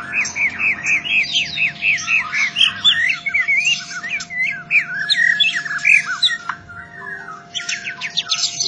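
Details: Competition White-rumped shama, a champion noted for a loud voice, pouring out a rapid, varied string of chattering, buzzy and whistled notes with slurred phrases, over a constant low hum.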